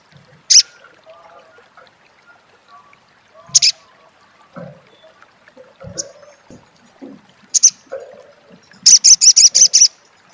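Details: Sharp, high, isolated chips spaced a few seconds apart from an olive-backed sunbird, ending in a short burst of rapid repeated high notes in crecet style, over faint low background noise.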